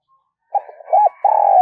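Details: Brief fragment of a decoy spotted dove calling wild doves: a low murmured start, a rounded coo, then a long loud vibrating coo that is cut off at the end.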